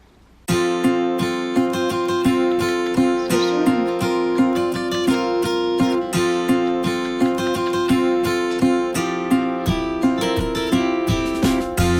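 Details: Steady acoustic guitar strumming fills the whole stretch, with no animal voice standing out.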